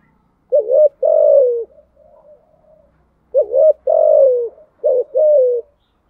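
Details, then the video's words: Thúc gù style cooing from a spotted dove: two phrases, each a quick wavering note followed by a long falling coo, with soft low murmurs in the pause between. "Tiếng chim cu gáy bài bản THÚC GÙ"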